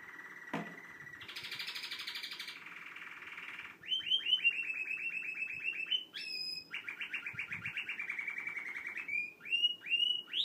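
A canary sings a long, varied song: sustained rolling trills, then rapid repeated chopped notes and bright rising whistles, all high-pitched and continuous.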